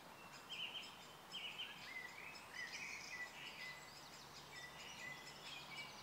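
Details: Black-necked grebes calling at Kala pond in Hostivice, 26 May 2016: short repeated whistled notes, some rising, come in quick succession amid a dense chorus of higher twittering birds and faint background noise.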